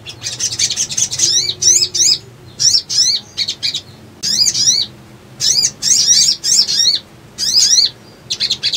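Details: Little spiderhunter calling as a lure for catching birds: a buzzy high trill, then a steady series of piercing zigzag chirps in pairs and triplets, separated by brief silences.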